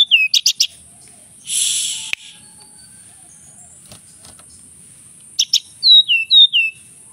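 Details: Male Javan whistling thrush on Mount Merapi singing actively: a few sharp high chirps, then a run of quick downslurred whistled notes near the end, with pauses between phrases; a loud rushing burst of noise in the middle.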